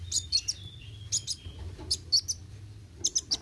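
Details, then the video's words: Kolibri wuling sunbird singing roll tembak: a few bright, very high chirps in quick pairs, linked by a long, thin level whistle, with soft low background hum. "Kolibri Wuling Gacor Roll tembak"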